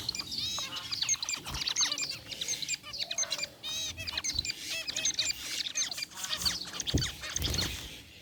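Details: Busy chorus of zebra finches in a cage, white and gray varieties including a rare white bird, relaxing: dense overlapping high chirps and nasal notes throughout, with a few low bumps.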